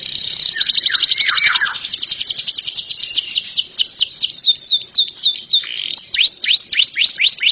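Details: Canary singing loudly and continuously. A bright high buzzy note opens into fast rapid trills, then a series of sharp downward-sweeping whistled notes repeated about four per second, ending in slurred chirps.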